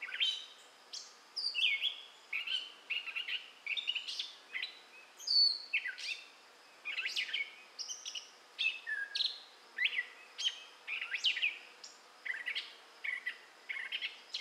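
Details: Singing gray catbird, southwest Michigan, May 2011: a long, steady medley of rapid squeaky, mewing and chattering notes, with each short phrase different from the last, continuing with only brief gaps.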